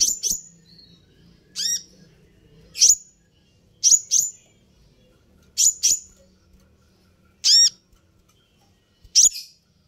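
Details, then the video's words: Sunbird lure call: bright, metallic chips with downward-sliding ringing overtones, repeated singly or in pairs roughly every one to two seconds over a quiet background. "suara ini bisa bikin Kolibri ninja naik pitam"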